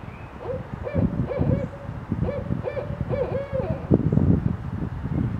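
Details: Barred owl in a Danville, Illinois neighborhood in late March: a series of deep, even hoots in quick clustered phrases, about eight notes over five seconds, the last one more accented, over low rumbling wind and traffic.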